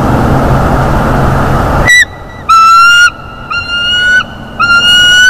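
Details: Bald eagle eaglet at a nest in North East Florida squealing in delight as the father brings a mammal as prey, February morning: a rush of wind noise, then a series of long, high, thin whistled squeals, each slightly rising.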